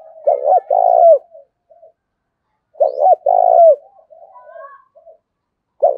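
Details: Spotted dove used as a decoy bird to stimulate other doves to coo: low, soft, hooting coo phrases of a few notes each, repeated about every three seconds, with quiet pauses between.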